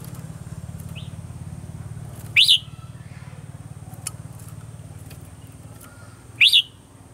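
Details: Morning singing of a red-whiskered bulbul in a mature forest voice, recorded for training birds. Two short rising whistled phrases four seconds apart, with a soft distant chirp and a steady low hum.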